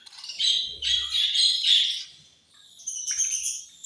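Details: Budgerigars eating and chirping, described as angry: rapid buzzy chatter for about two seconds, a brief lull, then higher scratchy twitters.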